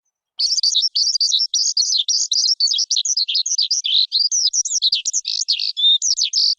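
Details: Lark singing a continuous, rapid, high-pitched warble of tumbling twittered and trilled notes, almost without pause throughout, with no other sounds audible.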